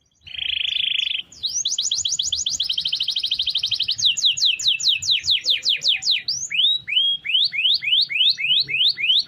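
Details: Canary singing a long roll for daily mastering of other birds: a buzzy sustained trill, then a fast dense roll of rising sweeps and a series of clear upward-curving whistles.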